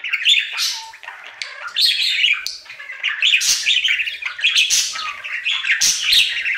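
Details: Male pet budgie indoors during his daily singing routine, a near-continuous stream of rapid chatter, clicks and squeaky whistled notes, with louder scratchy bursts every second or so.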